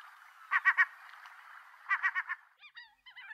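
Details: Seagulls calling: two quick bursts of three or four harsh, stacked notes, then several shorter wavering, bending cries near the end.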